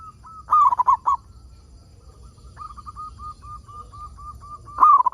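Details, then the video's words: Local zebra dove singing lustily as a lure for other zebra doves. It opens with a loud burst of quick, quavering coos. A steady run of soft, regular coos follows, ending in another loud rolling burst. "Perkutut Lokal Gacor Suara Paling Ampuh Untuk Pancingan Burung Perkutut Agar Bunyi"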